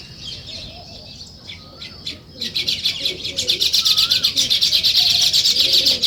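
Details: Sparrows in the morning: sparse chirps at first, then a fast, steady stream of rapid high chirps building in loudness, with low cooing doves behind.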